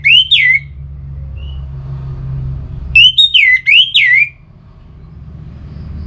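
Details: Singing of an orange-headed thrush (anis merah), northern Bali, used to make kept birds sing eagerly. One looping, clear whistle, a pause, then four rapid looping whistled notes with upward flicks, over a soft low hum.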